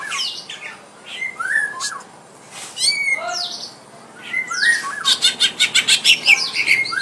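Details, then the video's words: At home, a greater green leafbird faces a rival in a fighting test, pouring out varied whistled slurs, rising and falling notes and harsh squawks, ending in a fast regular series of sharp repeated chips. "burung cucak ijo tarung ngetes cucak ijo dirumah"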